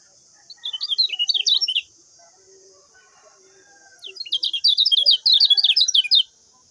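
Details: Common iora master song for training other birds: two bursts of rapid, sharp chirping trills, high and fast, separated by a quiet gap with faint lower background calls and a steady high hiss.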